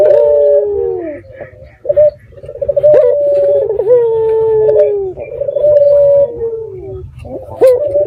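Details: Red-eyed dove cooing at night as a lure call for other doves to reply: repeated long, steady, mid-pitched coos, each opening with a quick bubbling roll and tailing downward, in close succession.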